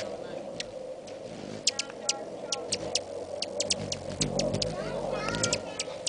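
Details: Hummingbirds in a feeding frenzy swarm a feeder, whirring over a steady low hum with sharp, high chips and clicks every second or so; a murmur that could be traffic or voices runs underneath.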